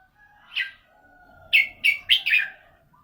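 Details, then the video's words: Red-whiskered bulbul with a prized 'golden voice': one bright chirpy phrase, then four quick, loud, whistled bursts in close succession, over a steady low hum. "นกกรงหัวจุก เสียงทอง"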